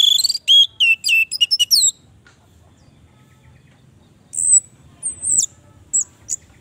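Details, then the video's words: A captive orange-headed thrush, its song used to coax silent birds into singing, gives a fast, rich warbled phrase of sweet whistles for two seconds, then after a pause a few thin, high squeaky notes. "pancingan Anis merah macet bunyi"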